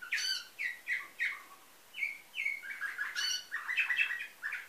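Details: Canary trained to a nightingale-type song, from a breeder in Varna, Bulgaria, 2013: loud whistled phrases with rich harmonics, short repeated notes and a falling motif, then a rapid jumbled trill near the end.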